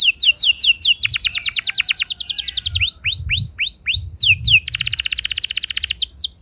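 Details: Canary song used as a lure to set young canaries singing in long rolls: rapid rows of high downward-sweeping notes alternate with slower, spaced rising-falling chirps, all bright and metallic.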